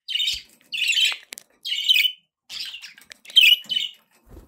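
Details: Pet budgerigars chirping in short buzzy, warbling bursts, about five separate phrases of scratchy high chatter with brief silent gaps between them.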